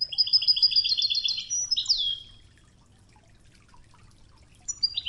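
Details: A European goldfinch delivers a rapid ringing trill of evenly repeated notes ending in a downslurred note, then falls quiet to faint river water before a high chirp returns; Wejdani-style 'toughza' training song.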